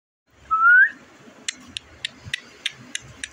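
An Indian ringneck parakeet gives one clear, rising whistle. A string of sharp ticks follows, about three per second.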